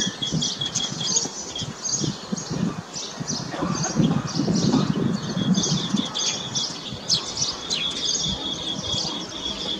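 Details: A green bee-eater in Delhi, recorded during lockdown while eating an insect, gives short, high chirping trills in quick repeated bursts, over a steady rumble of wind and low background noise.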